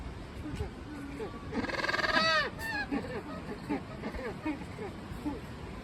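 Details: Magellanic penguins kept at Joetsu City Aquatic Museum Umigatari, Japan, breaking into noise after resting: one strong rasping bray rising and falling, surrounded by quieter choppy grunts and short honks over steady room hum.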